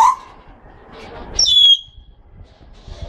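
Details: A Congo African grey parrot from a breeding pair gives one sharp, clear, high whistle lasting about half a second, after a brief lower note, over faint room noise.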